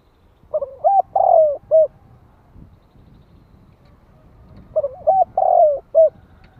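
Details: Cooing of a spotted dove used as a lure to provoke wild birds, 'gáy gọi + thúc' style: two deep, hollow phrases, each a short opening note, stuttered coos and a drawn-out final hoot, about four seconds apart over quiet rustling.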